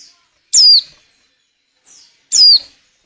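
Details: Female white-eye in breeding condition calling, meant to prompt males to sing for luring. Two strong, high, falling whistled notes about two seconds apart, each followed by a fainter, softer note.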